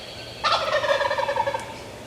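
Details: Adult male longbeard Wild Turkey gobbling at five yards on April 14th 2024, a bird also noted for spitting and drumming; one loud, rapid rattling gobble of about a second, its harsh stacked tones breaking into quick descending pulses.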